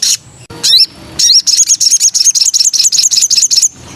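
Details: Little spiderhunter female calling to the male, in breeding condition: a few high sliding notes, then a fast run of sharp, high, metallic chips repeated about five times a second for two seconds before stopping.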